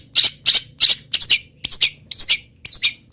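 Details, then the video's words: Moulting long-tailed shrike, local stock, singing a song filled with wild bird imitations; quick harsh chattering notes, some with bent whistled tails, about three per second. "CENDET GACOR FULL ISIAM BURUNG LIAR"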